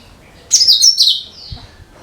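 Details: A single sharp, bright burst of rapid high-pitched twittering from a cucak kinoi, used as a lure for other birds, starting abruptly and trailing off into a thin descending whistle.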